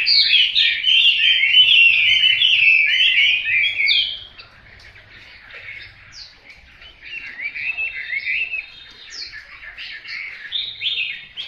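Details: Hwamei song: loud, fast rush of slurred whistles for about four seconds, then softer, thinner warbled phrases and scattered high notes continuing after a brief drop.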